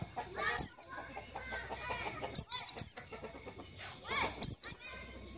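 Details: White-eye call played as a lure for trapping white-eyes: sharp, high whistled notes falling steeply in pitch, given singly, then in a quick pair, then another pair, with soft twittering chirps between.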